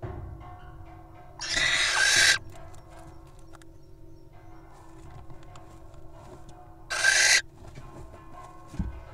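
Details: Wild little owls recorded at a nest box give two harsh, noisy hisses, the first nearly a second long and the second shorter, set against a constant low hum and faint clicks.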